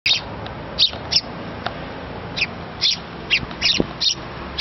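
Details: Small sparrow nestling begging its parents for food. Sharp, high chirps come singly and in quick pairs, about ten in under five seconds, over a low steady background hum.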